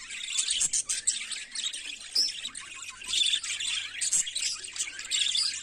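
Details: Morning warbling from budgerigars, a busy stream of rapid chirps, clicks and squeaky high notes with brief pauses between bursts, with a soft steady hum underneath.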